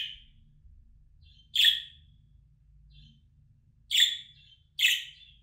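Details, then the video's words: Escaped-budgie recall sound: raspy budgerigar contact chirps, one cut short at the start, then three clear bursts with gaps of one to two and a half seconds, over soft low background noise. "Muhabbet Kuşu Çağırma Sesi, Kaçan Kuşunuza dinletin geri gelsin"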